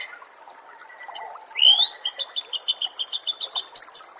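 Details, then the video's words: Oriental magpie-robin song used as a training recording for songbirds: faint murmur, then a bright rising whistle followed by a fast run of about a dozen sharp, evenly spaced high notes. "Masteran murai AMPUH"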